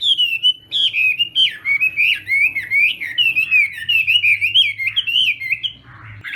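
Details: Morning practice song of a Chinese hwamei: a continuous, fast stream of melodious whistles that bend up and down, rich and varied, with barely any break.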